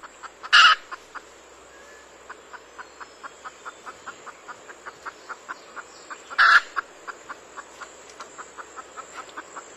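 A red junglefowl gives steady soft clucks, about four a second, broken twice by a loud harsh squawk roughly six seconds apart.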